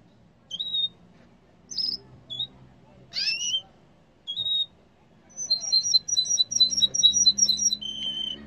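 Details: Yellow canary giving scattered short chirps and whistled notes, then a rapid even trill of paired high notes ending in a steady whistle, with a faint low hum beneath.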